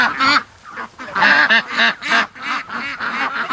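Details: Several domestic geese give loud, nasal, harmonic honks in an overlapping run, roughly two or three per second, some rising and falling in pitch; morning on July 31st after fog and rain, flock starting their noise near the pen.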